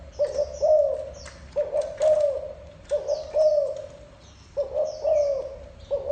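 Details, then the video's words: Spotted dove cooing rhythmically, paired low notes with the second long and slightly arched, about five phrases at roughly one-second intervals, accompanied by faint high twitters of other birds. "tiếng chim cu gáy gù độc lạ mới hay nhất"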